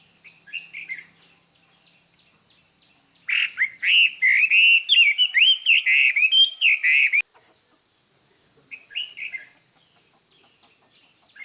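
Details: Chinese hwamei decoy singing to lure other birds. Opens with a soft phrase, then gives a long loud run of rich, fluid whistled notes for about four seconds, followed by quieter short phrases.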